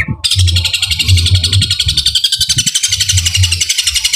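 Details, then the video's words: Long-tailed shrike launching a very long 'gereja tarung' burst copying fighting sparrows in one breath; a short note, then an abrupt switch into intense, rapid, high, buzzy chatter, with repeated low thuds in the background. "Cendet tembakan gereja tarung super panjang istimewa sekali nafas"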